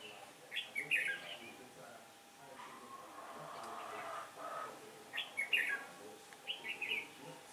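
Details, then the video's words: Red-whiskered bulbul used as a decoy in trapping, singing on a windy day, 15 October 2017: short liquid whistled phrases, a bursty group at the start, another near the end, then softer notes, with faint background noise. "Bẫy chào mào Ngày trở gió 15/10/2017 phần 1"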